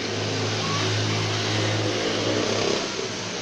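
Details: Loud roaring engine noise of a revving vehicle fills the whole stretch, with no animal voice heard.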